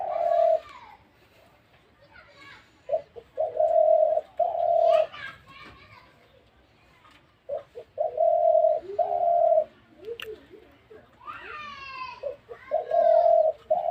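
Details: Spotted dove uttering bursts of steady, hollow coos in two groups, with children's voices and chatter rising between and after them.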